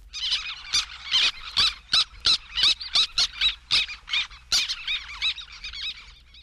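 Black Tern giving harsh, scratchy high 'kek' notes in an uneven rapid series, about fifteen calls in six seconds, with no other sounds.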